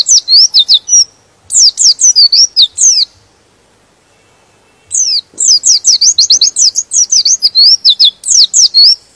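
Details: Provocative white-eye song that stirs rival white-eyes to sing along: two long trains of sharp, high descending whistles, chattering and rapid, separated by a silent gap of roughly two seconds.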